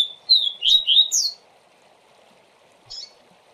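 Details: Double-collared seedeater, 'tui tui zel zel' song for tutoring young birds: about a second of bright whistled, up-slurred notes, then quiet and a single faint chirp, over a low hum.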